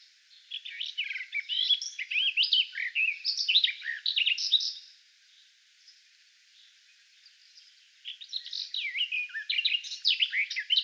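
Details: Garden warbler (Sylvia borin) singing a long, rich, hurried warble of mellow rippling notes, pausing briefly before resuming the flowing phrase.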